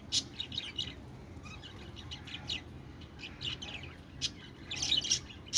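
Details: Pet budgerigar chirping: bursts of bright, high twittering notes in short clusters, with scattered quick chirps between louder flurries near the start and end, over a quiet indoor background.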